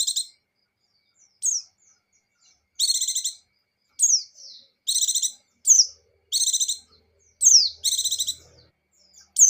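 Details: Pleci (buxtoni white-eye) in gacor and ngecir song, a steady pattern of high downslurred whistles answered by brief stuttering trills, repeated about every second and a half.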